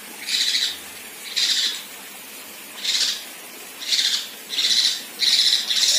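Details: Rough tembakan kasar shots from a female kinoi, meant as tutor material for contest birds: coarse, hissing bursts, each about half a second long, repeated at irregular intervals of one to one and a half seconds.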